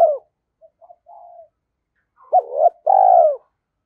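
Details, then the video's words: Spotted dove lure coo, thổ sấm voice style, intended to make wild doves start cooing: the tail of a loud coo, soft clipped notes and a quiet coo, then a strong rising note and long purring coo. "tiếng chim cu gáy kích bổi hiệu quả"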